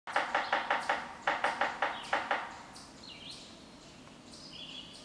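Yellow-bellied Sapsucker drumming, an uneven wooden tapping: a quick burst, then slower, stuttering knocks. Thin high whistles from other birds follow.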